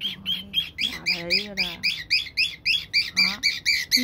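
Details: Old pet cockatiel scolding a box it hates, series of rapid harsh squawky notes about four per second, with a low human voice murmuring underneath partway through.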